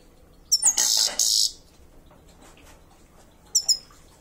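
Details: Grey-crowned goldfinch in Kulob, Tajikistan, giving high, thin twittering chirps: a quick double note, then a harsh buzzy burst, and another brief twitter pair near the end.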